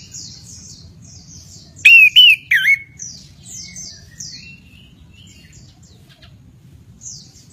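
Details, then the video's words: Orange-headed thrush, known locally as anis kembang, singing in the active rolling "gacor ngeroll" style: three loud, slurred whistled phrases midway, over a constant background of faint, high, descending chirps from other birds and a low hum. "Anis kembang Gacor Ngeroll"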